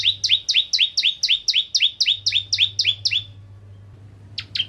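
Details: Bar-winged Prinia, Ciblek Kristal type from Indonesia, singing to provoke rival prinias: a fast string of piercing two-part chips runs for three seconds, falls silent, then restarts with a few notes.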